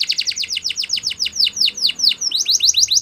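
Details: Yellow canary morning song made of clear, rhythmic down-slurred chirps, about four per half second, briefly interrupted by a short whistle before the series resumes.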